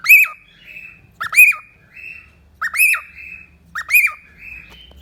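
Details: Pet cockatiel repeating a rising-then-falling harsh squawk four times about once a second, each followed by a quieter drawn-out rasp.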